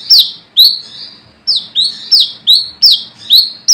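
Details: Rival-calling brown-throated sunbird, a lure call: emphatic high chirps with downward slurs and trailing buzzes, an early gap, then a brisk run of seven notes.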